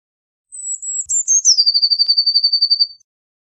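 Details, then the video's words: Eurasian blue tit song: a long high whistle easing downward, a few stuttered notes, then an extended rapid trill of evenly spaced pulses lasting over a second; quiet surroundings. "Blue Tit Singing! Blue Tit Calling! Blue Tit Sound! - Herrerillo Común Canto - Cyanistes Caeruleus"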